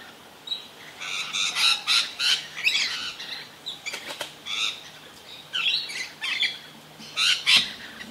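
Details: Rainbow lorikeets (Trichoglossus haematodus), a solitary bird and then a pair, calling ceaselessly during frantic, acrobatic feeding: harsh, grating screeches in rapid, uneven bursts, several overlapping, over a faint low hum.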